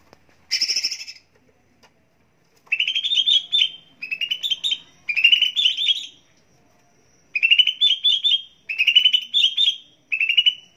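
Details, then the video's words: Cucak ijo, the greater green leafbird, in a recording meant to spur birds to sing: clear, bright chattering phrases repeated in bursts of about a second, separated by short pauses, with no other sounds. "Pancingan Dan Masteran Cucak Ijo Pagi Siang Sore Dan Malam Agar Cepat Gacor"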